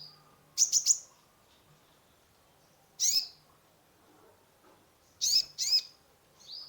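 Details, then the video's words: Kolibri ninja sunbird singing energetically, used as lure therapy for a stressed caged bird; a quick triple of shrill notes, then single and paired high chirps at irregular gaps, with a faint soft note at the end. "Terapi pancingan konin gacor full isian mengatasi burung stress !!"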